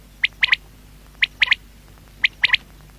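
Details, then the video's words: A quail gives a sharp three-note phrase, one quick note then a double, repeated about once a second against a quiet background. "Batair sound | Quail voice"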